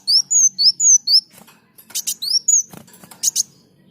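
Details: Sunbird in lively song, used as a tutor recording for other birds: high, sharp, down-slurred whistled notes repeated about twice a second, broken by short buzzy chatters and clicks, with a faint low hum beneath.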